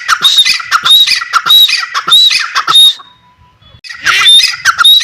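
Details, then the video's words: Grey francolin, called Dakhni teetar, delivering a fast series of harsh squawks with thin whistled tips. The series breaks off for about a second before resuming. "Dakhni Teetar: Voice of teetar | How to play teetar | The Sound of teetar | teetar ki awaaz"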